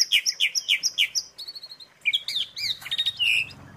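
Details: Asian pied starling training filler: a fast series of paired chirps repeated roughly three times per second, then softer ticking, followed by warbled whistles and a buzzy trill.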